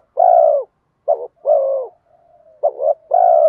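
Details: Bronze-voiced spotted dove lure coo meant to attract wild doves. Long, even, low coos alternate with short clipped double notes, with a soft drawn-out hum between phrases.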